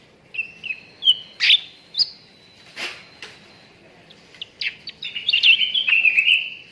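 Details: Cucak ranting bulbul used as a training recording to prompt contest birds into singing: short whistled upward-sweeping chirps, then a dense burst of rapid warbling notes at the end, with a few sharp clicks between.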